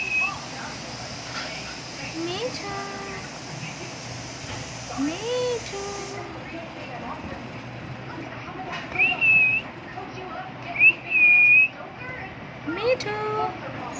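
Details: Cockatiel (Nymphicus hollandicus), a pet in Dhaka, Bangladesh, gives a few clear whistled calls, some rising then falling, over a murmur of voices.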